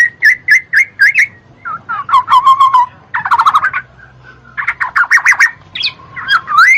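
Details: Black-naped oriole song for prompting lazy birds to sing: clipped whistled notes, then bursts of rapid chattering phrases alternating with pauses, finishing in a rising fluty whistle.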